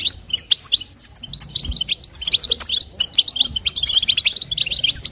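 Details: Female European goldfinch calling to stimulate the male, in the bitbita and sitsita styles. A dense, fast run of sharp, high twittering and tinkling chirps with barely a pause. A faint low hum sits underneath.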